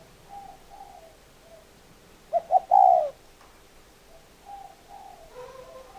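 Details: A close spotted dove delivers one loud three-note coo, short-short-long, while softer, more distant dove coos sound before and after it.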